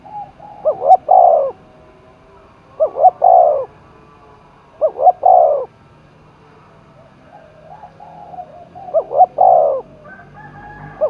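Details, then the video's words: Spotted dove in Dong Nai, Vietnam, roused for a cooing contest: three-part coos, two short notes then a long throaty one, repeated about every two to three seconds, with faint other coos between. "cu gáy thúc đấu vang cả núi rừng đồng nai, cu gay kich boi nhanh noi gù"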